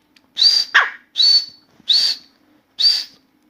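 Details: Newly singing Grey francolin (Dakhni teetar) indoors, calling continuously: four loud, harsh, high-pitched phrases roughly every 0.8 seconds, with one short lower rasp squeezed in after the first.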